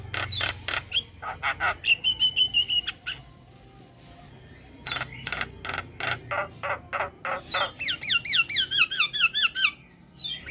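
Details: Starling (jalak) sounds used for training birds: sharp repeated chattering bursts, a steady buzzy trill, then a fast series of looping whistled notes, with faint low hum beneath.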